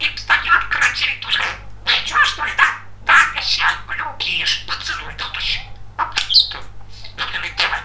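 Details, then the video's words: Talking male budgerigar, a very chatty pet, kept indoors, chattering nonstop in fast, scratchy, warbled speech-like phrases mixed with chirps and squeaky whistles, with a steady low electrical hum beneath. "Волнистый попугай Разговаривает четко и понятно"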